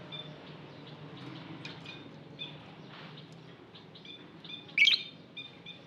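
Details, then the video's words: Lovebird from an aviary giving soft, continuous twittering with one sudden loud, squeaky chirp near the end. "Lovebird Singing Call & Chirping Sounds"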